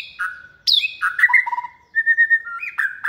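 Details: Second-season white-rumped shama, caged and raised from a nestling, sings rich fluty whistles, a steep downslurred note and a short series of even, level whistled notes.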